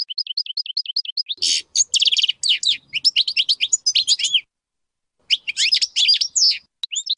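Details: A European goldfinch sings a rippling series of repeated high notes, then bursts into dense, buzzy, tinkling twitters in several bouts separated by a short pause.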